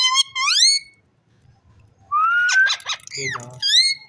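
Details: Rose-ringed parakeet giving rising squeaky syllables, a long climbing whistle broken by raspy pulses, a falling note, and a closing upward sweep, over a faint low hum.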